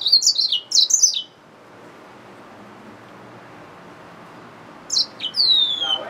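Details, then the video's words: A hybrid finch, the yellow-fronted canary mule, gives a brief, high, twittering phrase of quick slurred notes. After a long quiet stretch, another run of sharp chirps and a drawn-out descending whistle follows. "Yellowfronted canary mule | Hybrid Finch"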